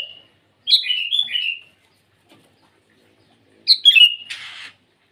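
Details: Sooty-headed bulbul in morning song aimed at rivals: a lilting phrase of several falling whistles, a pause, then another phrase followed by a short rustling burst like wing flutter.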